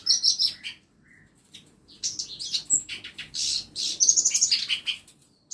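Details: Several caged songbirds kept in a small home aviary as song-tutor birds, giving high sharp chirps and short twittering bursts, with a brief pause before a busier run of overlapping notes.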